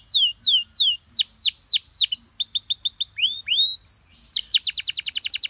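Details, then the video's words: Canary singing a master phrase for other birds to learn: slurred downward whistles repeated about three per second that speed into a fast trill, with a brief steady note before the final rapid roll. "MASTERAN KENARI PAUD CENGKOK ENAK GAMPANG DITIRU"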